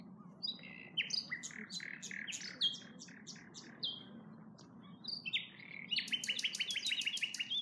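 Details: Nightingale song recorded at Norwood Hill RSPB reserve, a rich sequence of abrupt chirps and rattling repeated notes that builds into a fast, loud, high-pitched trill near the end, with a faint low rumble beneath.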